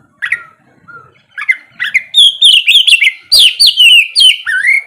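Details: Kacer, the oriental magpie-robin, singing in the morning to coax quiet birds into song; starts with soft scattered notes, then builds into loud rapid whistled phrases with sliding, warbling notes.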